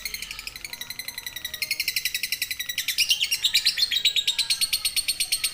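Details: Clean, sustained lovebird ngekek trill used as a training recording: very high, rapid shrill pulses repeat evenly, growing gradually louder and sharper through the run with no other sound.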